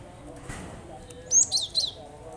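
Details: Cinereous tit recording used to get lazy birds singing; a short run of high, sharp whistled notes near the end after a soft background.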